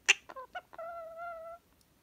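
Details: A male pet blue-crowned conure named Bingo says its own name, "Bingo", in a nasal, speech-like voice: a sharp click, two quick syllables, then a long drawn-out tone, in a small room.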